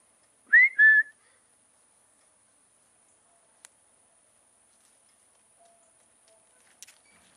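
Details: A peacock calling from a roof at a feeding spot gives one loud, two-part call, a rising note then a steady wailing one, followed by quiet with a few faint clicks.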